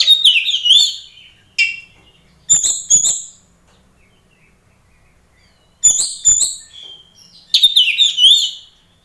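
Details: Oriental magpie-robin singing loudly, a recording meant to provoke rival magpie-robins to respond: clusters of warbled, scratchy phrases with piercing whistled notes, separated by pauses of up to three seconds in otherwise quiet surroundings.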